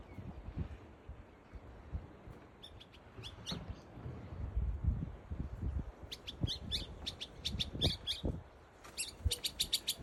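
A male African pygmy goose gives thin, high whistled chirps in quick bursts, with a low rumble of wind or handling noise underneath.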